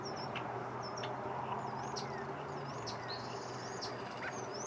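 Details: European starling recorded 5 May 2023 near Folsom Lake, Folsom, California, giving thin, high slurred whistles and sharp clicks in a rambling sequence, against a steady low rumble and hum.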